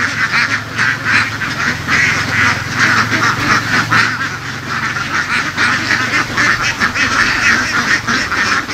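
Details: Laying ducks in a free-ranging flock driven across fields in Vietnam's west; many birds quack at once in a thick, grating wall of sound, with a steady low motor-like drone underneath for the first half.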